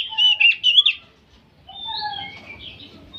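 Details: Old oriental magpie-robin singing without pause: about a second of loud, varied whistled notes, sliding and warbling, then quieter fragments of longer pure whistles with faint background hiss.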